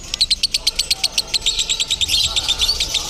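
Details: Lovebird performing konslet-style song at a singing contest in Bandung: rapid high, sharp chirps repeated several times per second in a steady, dense train, with faint low background noise.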